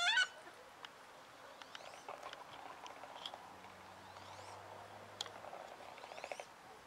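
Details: An angry female wood duck in winter, upset at being moved to another pond, opens with one loud, harsh squeal, then softer rising squeaky whistles at irregular intervals over a low background hum.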